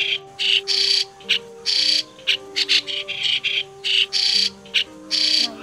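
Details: Lure recording of white-cheeked starling, a migratory starling used to attract birds for trapping in 2020: rhythmic harsh squawks and short scratchy notes alternating with pauses, over a steady low drone.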